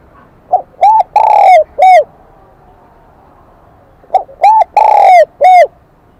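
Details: Two cooing phrases from a newly caught spotted dove of the 'kim đồng' song style, separated by about two seconds of quiet. Each phrase has four notes: a short pip, an arched coo, a long coo and an arched coo.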